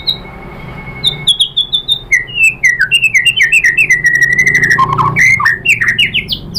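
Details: Lure song of a white-rumped shama (murai batu) meant to make rivals respond: a long held whistle, then cascading descending slurred whistles in quick succession, ending in sharp rising upslurs.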